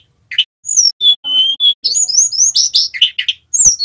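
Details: Sunda robin male learning ngerol, sung to teach other caged birds: a buzzy note, level whistles, then a fast tumbling sequence of high rising slurs and rasping bursts.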